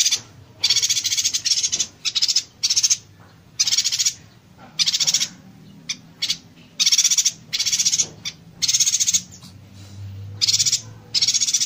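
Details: Yuhina singing in the 'konslet tembakan rapat' (close-fire short-circuit) style meant for training songbirds: high, rattling machine-gun bursts come one after another with brief gaps, almost continuous throughout.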